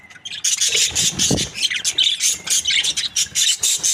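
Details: A group of happy budgerigars chirps busily in quick, rhythmic bursts of bright, scratchy twitters and squeaks, repeated every fraction of a second, with a soft low thump near the start.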